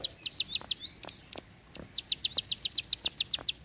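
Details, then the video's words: Bar-winged prinia in 'tembakan panjang rapet' song: a burst of crisp, high ticking notes, a pause of about a second, then a longer, evenly spaced series of bright clicks. "Ciblek Sawah // Prenjak Klik // Tembakan Panjang Rapet Ciblek"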